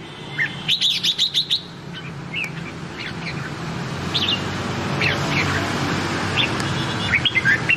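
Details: Red-whiskered bulbul (Pycnonotus jocosus) singing in the Nam Dong song style, used to train other bulbuls' voices: a quick burst of bright, chirpy notes, then scattered whistled phrases over a steady low hum.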